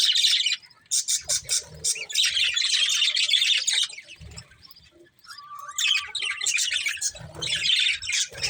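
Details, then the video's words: Chirping from a breeding pair of budgerigars: a series of sharp, evenly spaced chirps, then rolling raspy warbles, a thin steady whistle and more chatter, with soft low thuds. "Beautiful Budgies Chirping Sounds"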